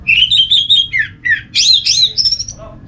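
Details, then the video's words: Dense orange-headed thrush song used as therapy sound to set other thrushes singing: rolling mid-pitched whistles and downslurs, then higher, shriller sweeping notes and a thin sustained whistle, nearly continuous for three seconds. "Suara burung ANIS MERAH ini ampuh bikin ANIS Jenis apapun ikut bunyi"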